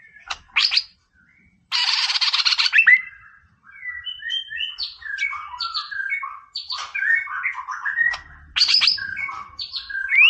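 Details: White-rumped shama singing a lively training song in the style called "Boomerang", used to provoke a rival: a harsh buzzy burst, then a rapid varied run of sharp whistled notes and slurs.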